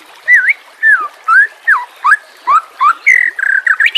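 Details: Captive white-rumped shama song used as training material for caged birds: a run of clear whistled notes, each a short rising or falling slur, given about twice per second, ending in faster buzzy rattles.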